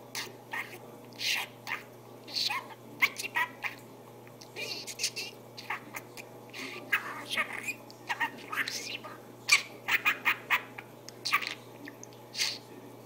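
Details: Talking budgerigar producing a dense, continuous run of scratchy warbles, clicks and short rising notes for over twelve seconds, with a steady low hum in the room.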